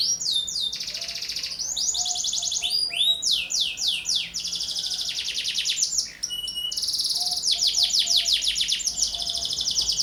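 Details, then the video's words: Canary in continuous, lively song, presented as a lure for young canaries and tutor song for other cage birds: alternating dense buzzy trills and rapid falling whistled slurs, with brief pauses between phrases. "KENARI GACOR, [[ PANCINGAN KENARI PAUD. [[ccocok buat masteran burung lain"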